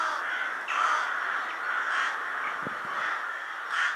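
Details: A winter flock of rooks gathering at Ottakring cemetery in Vienna shortly before dusk, at an assembly site rather than a roost: a dense, continuous chorus of harsh overlapping caws, swelling in louder bursts every second or two.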